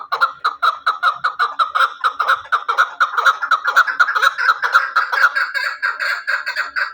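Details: Hunting chukar partridge delivering a long, steady run of quick chuck notes, several per second, with a clear pitched core that rises slightly and then fades into a buzzier chatter.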